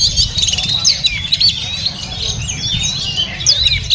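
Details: A caged oriental magpie-robin sings at a bird market: rapid high whistles and scratchy twittering phrases run together without pause. Low-pitched crowd noise hums in the background.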